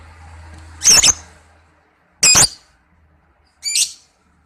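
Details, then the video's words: Lovebird screeching on a trapping lure recording: three piercing, buzzy shrieks, the first doubled, arriving about every one and a half seconds over a faint low hum. "Langsung Nyaut PANCNGAN PIKAT SUARA BURUNG LOVEBIRD"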